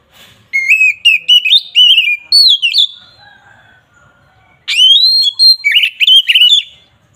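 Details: Agitated song of an Oriental magpie-robin, meant to provoke rivals: choppy bursts of loud whistles repeated several times a second, a soft lower warble in the pause, then another energetic burst of sliding notes.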